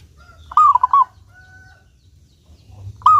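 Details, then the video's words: Actively singing local zebra dove, valued for its clear tone and used to prompt other doves to sing. A rolling cooed phrase with choppy repeated beats is followed by a thin whistle, then the next phrase begins. "Perkutut Lokal Gacor Suara jernih ini Paling Ahli bikin Pancingan Burung Perkutut Agar rajin Bunyi"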